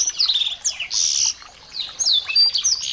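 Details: Small birds used as tutor sounds to spur a white-rumped shama into singing: dense high chirping with quick downslurred whistles and a loud buzzy burst near one second, then a short pause before more sweeping notes.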